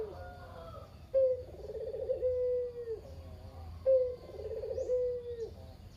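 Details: Talkative caged Barbary dove, the survivor of a pair, giving lure coos meant to set other doves calling. Two full coos, each a sharp onset, warbling roll and long falling whistle-like end.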